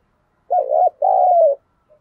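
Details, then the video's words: Decoy spotted dove kept by a bird keeper, cooing to lure wild birds: one clean two-part phrase, a short wavering coo followed by a longer steady one, in a quiet setting. "Chim Cu Mồi Thúc Bổi Và Gáy Gọi Hay/ Tiếng Chim Cu Gáy Thúc Gù Căng"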